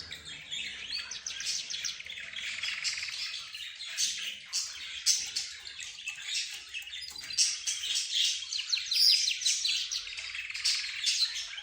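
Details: Caged budgerigars, zebra finches and canaries, plus another kept bird, chattering together as if in conversation; dense overlapping high chirps, twitters and trills run continuously with no pauses, led by a canary.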